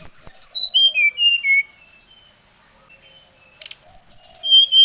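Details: Brown-chested jungle flycatcher calling out a rival, used as a lure sound: a clear whistled series of notes stepping steadily downward, a pause with faint twittering, then high thin whistles returning near the end, with a sharp click between.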